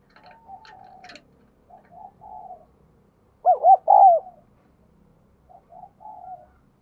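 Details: Spotted dove kept captive, with a 'đồng kim' voice, cooing diligently to encourage newly caught birds. Faint coos and a few clicks at the start, a loud wavering triple coo midway, then soft coos.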